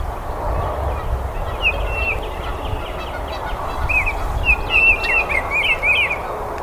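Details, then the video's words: Song of a Baltimore oriole: bright whistled phrases of short slurred notes, clustered in two bursts, heard against constant low-pitched background noise. "BURUNG KICAU"BALTIMORE Oriole""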